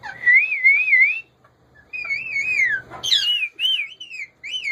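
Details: Owned male rose-ringed parakeet warbles wavy whistled phrases, rising and falling repeatedly, broken by a short gap and a sharper burst near the end.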